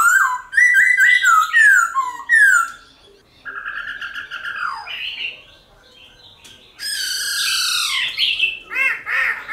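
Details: Black-throated laughingthrush in wild-style song, used to stir captive birds into singing: loud slurred whistles falling in quick repeated phrases, a pause, then a buzzy descending sweep and harsh bright notes rising at the end.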